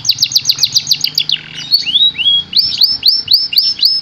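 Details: Canary song played to encourage reluctant birds to sing and copy it: a rapid series of high, bright trilled notes gives way to sweeping, upward-slurred whistles, repeated at roughly quarter-second intervals, with faint low background hum.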